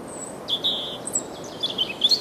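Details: European robin perched in the Kennemerduinen dunes at Heemskerk, singing cheerfully: a short burst of thin, high whistled notes and quick twittering flourishes, varied in pitch and closely spaced, over a soft steady hiss.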